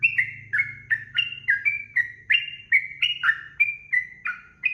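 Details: Sooty-headed bulbul song in the rapid 'ropel' style, used as a tutor recording for training birds: a fast run of short, slurred, whistled notes, each dropping or rising, about three every second, with a faint low hum beneath.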